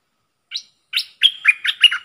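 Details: Bulbul used as a decoy bird, in full voice: two short separate chirps, then a quick run of clear, slurred whistled notes that rise and fall, mid to high pitched.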